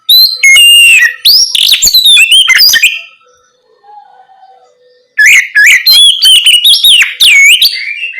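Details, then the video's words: Loud ngeplong singing by an Oriental magpie-robin at night, a prompt for untrained birds to respond: dense warbled and whistled burst, a near-silent gap of about two seconds, then another rich rapid phrase sequence. "Terapi Kacer ngeplong malam hari untuk pancingan Kacer bahan agar lekas nyaut bunyi"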